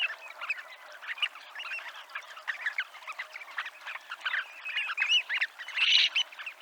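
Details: Many Dunlins calling by the seafront at Abruñeiras, Noia: rapid chattering trills in quick succession, growing louder toward the end with one strong burst.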